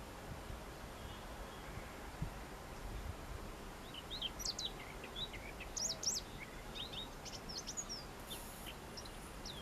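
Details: Siberian rubythroat in nature: a loose run of quick, varied high chirps and short thin whistled notes packed into a few seconds mid-recording, set against a constant broadband background hiss.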